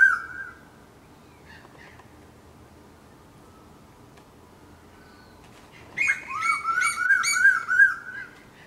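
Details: Eastern koel (Eudynamys orientalis), one of four present, calls: a brief whistled note, a long quiet pause, then a loud ringing series of rapid wavering notes that drops and levels off.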